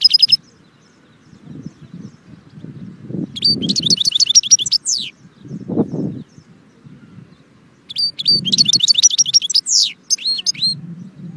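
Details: Goldfinch song in repeated bursts of fast, high twitters mixed with rising, slurred notes, with pauses between phrases and low rumbling noises in the background.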